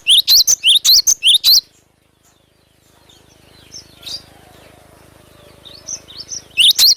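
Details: Glatik batu (cinereous tit) with gacor song, a natural lure recording: about eight loud, quick upslurred notes, a long near-silent pause with faint murmur, then the notes resume.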